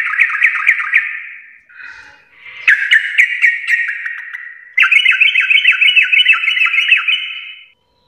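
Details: Sooty-headed bulbul in full song, "Garuda" style, delivering loud, fast rippling trills of whistled notes in three long bursts separated by brief softer phrases.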